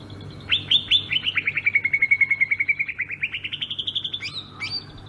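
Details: A Sumatran greater green leafbird rolls through its ngerol song: a long, fast trill of rapid notes that dips lower mid-phrase, then climbs back up, closing with a couple of high squeaky notes.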